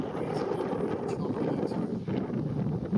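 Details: Steady low rumble of wind buffeting the microphone, perhaps with distant engine noise, and no animal voices.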